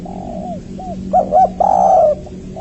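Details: Spotted dove (tekukur, called anduhur in Batak) giving its three-note call, used as a lure to attract other doves for trapping. Soft mellow coos, then two short hooting notes and a longer, fuller drawn-out coo over a steady low hum.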